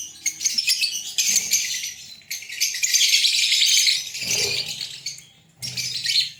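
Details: Green Fischer's lovebird pair in Pakistan, making breeding sounds: bursts of harsh, high-pitched chatter and rasping chirps broken by short quiet gaps, with faint low thumps between bursts.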